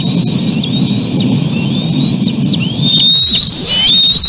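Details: Young bald eagles beg as the adult male approaches with a tiny fish, pulling up again and again; thin high whistles and slurred squeals, growing louder and more insistent near the end, over constant low wind or surf noise.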